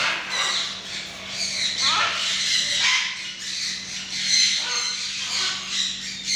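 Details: Fully tame pet macaw, described as ready for free-flight training, gives harsh, raspy squawks in overlapping bursts of about a second, with short gaps, alongside faint human voices and a steady low hum.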